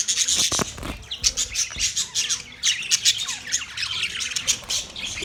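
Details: Australian budgerigars, a flock of parakeets, chirping and squawking in a dense overlapping chorus of short bright notes, with a few louder harsh calls early on.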